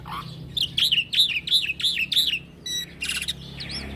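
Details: Young black-winged myna in continuous rolling song, used to tutor and lure other birds: five clear, shrill, downslurred whistles in quick succession, then buzzy rasping bursts and a final warbled note, with a faint low hum behind.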